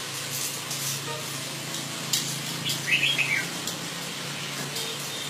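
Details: A single quick jumbled phrase of bright chirping whistles comes from a northern-style Red-whiskered bulbul kept as an ornamental bird in Vietnam, set against constant low rumble and hiss.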